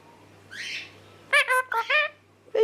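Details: Pet green male Indian ringneck parakeet, said to know about ten words and several sentences, talking with its owner. A harsh screech is followed by a quick series of clipped, nasal, speech-like syllables, with a person's voice nearby.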